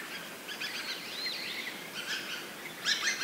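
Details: Large flock of dusky thrushes flying around, with faint overlapping squeaky and slurred calls building to a sharper chattering burst near the end.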